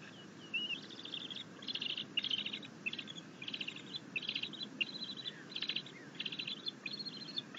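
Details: Bald eagle eaglet at a nest on 9 June 2021, chittering happily as its mother brings in a fish, after attempting to feed itself on a rabbit. It gives rapid high buzzy chittering bursts, repeated about twice a second, over steady background hiss.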